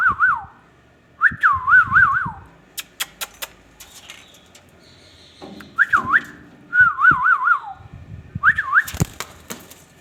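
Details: Ringneck parrot kept as a pet repeats short tonal whistles with quick wavering warbles, in five bursts separated by clicks and soft background noise.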